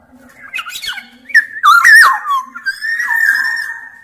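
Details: Black-naped oriole of the large-bodied Sumbawa type, singing actively: liquid whistled phrases near mid pitch slide and bend, broken by a harsh rasping burst, then a long sustained fluty whistle fading out; an indoor setting.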